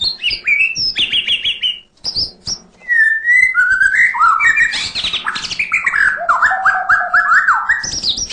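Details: Continuous 'isian' song of the white-rumped shama (murai batu), used to stir lazy singers: high opening notes, a brief pause, then a long flowing series of varied slurred whistles stepping up and down, some repeated in quick groups.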